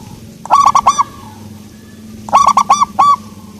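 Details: Local zebra dove singing in a soft voice: two quick phrases of four to five mellow, rounded cooing notes, each note swelling then bending down, with the phrases repeated about two seconds apart over a low background hum.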